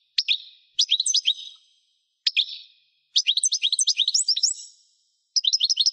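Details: European goldfinch, a kept bird, singing in bursts of rapid twittering, liquid trills and buzzy notes, phrases separated by short pauses; clean background with no other sounds.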